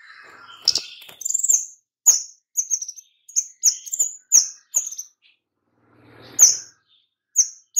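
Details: White-rumped shama sounding tight, rapid calls used as a lure for other shamas: a scratchy opening, then a string of short, bright, high whistled notes in quick bursts, a brief pause, and more sharp whistles.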